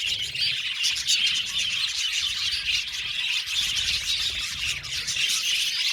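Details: In an aviary colony of budgerigars, continuous twittering and scratchy chirps blend into a busy high-pitched chorus.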